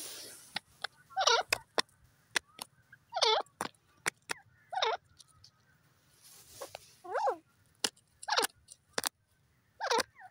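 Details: Partridge, locally called teetar, giving loud, harsh, ringing call notes with a wavering, ringing quality, repeated roughly every second or two, separated by sharp dry clicks and taps and a faint low hum.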